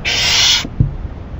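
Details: ['Owl receiving a rabbit as food late at night, May 2012: a single loud raspy hiss of about 0.6 seconds, then a couple of soft knocks.']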